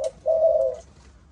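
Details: One spotted dove of a Malaysian 'âm thổ' line gives a brief clipped note and then a single long, level, husky coo lasting about half a second.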